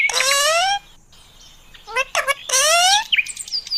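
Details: Talking parrot uttering two long, nasal, speech-like sounds with rich harmonics, separated by short clipped syllables and ending in rapid high chirps and whistles.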